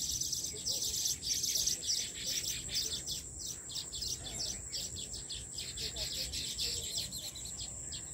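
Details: Weaver birds building many nests in a farmhouse tree in KPK, Peshawar, northwest Pakistan, migratory birds arriving yearly; dense high, dry ticking chatter and buzzy notes overlap throughout, over a steady shrill insect drone.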